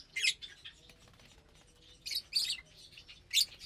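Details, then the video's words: At Saturday morning mealtime on 30 April 2022, lovebirds fed vegetables and seeds let out a few brief, shrill squeaky bursts, with faint twittering in the quieter stretches. "Lovebirds Meal Time"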